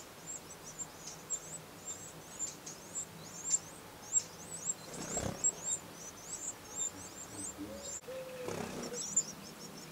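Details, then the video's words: Brood of Eurasian wrens in the nest, recorded 15 August 2011, giving loud, very high-pitched squeaky chirps in a fast, continuous chorus, several per second, interrupted by two brief rustling thumps. "Nichée Troglodyte Mignon"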